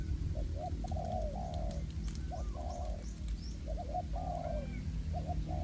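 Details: Decoy spotted dove tested in a forest to attract wild doves, repeating hoot-hoot-coooo phrases about three times, with scattered faint clicks, a distant higher whistle, and low background hum.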